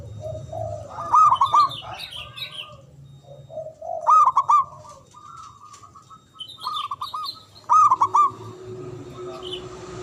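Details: Local Javanese zebra dove with a big, loud voice, used as a lure for silent or stressed doves: three stuttering rolled coo phrases spaced about three seconds apart, with softer low coos and scattered bird chirps.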